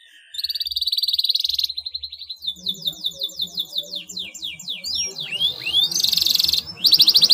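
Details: Canary in full gacor song, said to set any other canary singing: a steady buzzy tone first, then quick repeated trill notes, looping whistled slides and loud buzzing rolls, with low background rumble.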